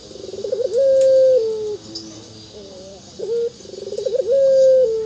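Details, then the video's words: Anggungan coo of a local ringneck dove: a bubbling stuttered lead-in rises into a long, clear held tone that sinks slightly, a pause with quiet wavering notes, then the rolling phrase begins again. "puter burung anggungan faporit"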